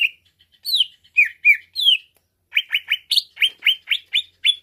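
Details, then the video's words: Greater green leafbird (cucak ijo), recorded to stimulate birds into quick agitation: bright chirped notes near mid-high pitch, first a few slurred downward phrases, then after a pause a rapid run of about a dozen sharp repeated chirps. "Merangsang Cucak Ijo Cepat Naik emosinya"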